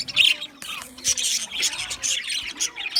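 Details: Budgerigar chirps and scratchy warbles in quick succession, a bright squeaky note standing out at the start, then an unbroken twittering chatter from several birds.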